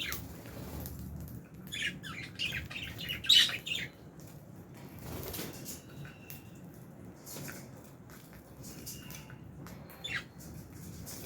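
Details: Caged Fischer's and albino lovebirds in an aviary, eating food: brief high chirps and squeaks clustered early on, with wing flutters, rustling and clicks, then quieter scattered chirping.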